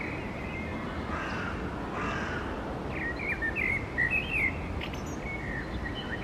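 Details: Blackbird song: after a few blurred, indistinct sounds comes one clear mellow warbled phrase of looping whistles, followed by faint high twitters and steady background noise.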